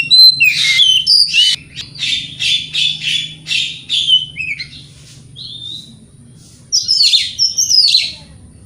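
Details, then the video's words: Morning song of a white-rumped shama meant to goad rivals into replying: a fast run of harsh, rasping chattered notes, a pause with a lone whistle, then a renewed burst of sharp whistles and churrs. "Pancingan Kacer Gacor Pagi Hari Bikin Lawan AUTO NYAUT!!!"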